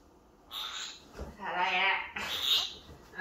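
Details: A Senegal parrot talks to its owner in three quick, raspy, high-pitched phrases of imitated Korean words ("mom", "hello" and a clumsy "I love you"), each under a second long, in a quiet room.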